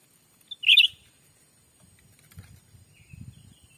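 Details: Black-capped bulbul lure call from bird trapping in a Sumatran forest; one crisp warbling chirp after a tiny pip, followed by quiet low rustling and a faint distant high note.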